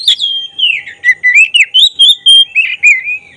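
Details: Fast lure song of a black-breasted oriental magpie-robin (kacer), meant to rouse emotion and tail opening: a long falling whistle, then quick repeated wavering notes, roughly four per second.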